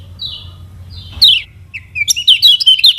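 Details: Kecial kuning of Lombok (lemon-bellied white-eye), lure for lazy or learning songbirds: two thin falling whistles, a sharp chip, then a quick rising string of bright twittering notes.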